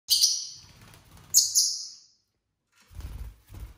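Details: ['Pet lovebirds, a household flock of six of mixed colours, calling on a relaxed Saturday at home: two loud, shrill, piercing screeches close together, followed by quiet low rustling and soft thumps.']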